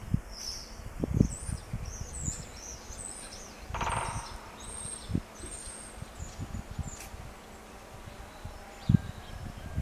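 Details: A woodpecker in Jaromin, Poland, on 27 March 2018 at 11:46, drumming as if calling another, gives a single brief, rapid drum roll over low rumbling thuds, with faint high chirps from small birds.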